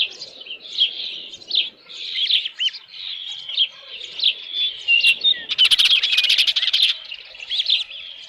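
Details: Shrill repeated whistled chirps from an osprey at the Dunrovin Ranch nest with a headless fish, midday 27 June 2018, uneven in spacing, with a brief burst of crackling clicks in the middle.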